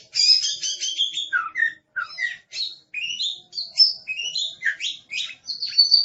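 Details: Oriental magpie-robin, a caged songbird called aggressive, singing a lively sequence of short whistled slurs, rising and falling, interspersed with lower dropping notes, delivered in quick succession.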